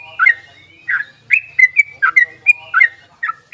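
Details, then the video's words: Yellow-vented bulbul calling as a lure for reluctant bulbuls: short gurgling and whistled notes, some rising and some dipping, delivered in quick irregular succession, with a faint high hum behind them. "ropelan dan panggilan burung trucuk ini sangat memikat bagus buat pancingan trucuk malas bunyi"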